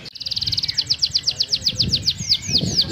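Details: Atlantic canary singing actively with an ornate 'cengkok mewah' song: a brief fast trill opens into a rapid series of high, whistled, down-slurred notes, about seven per second, over a low background rumble.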